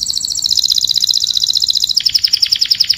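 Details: Canary singing to call its flock, delivering a loud, continuous, very rapid trill that drops in pitch partway and carries on in sharper pulses.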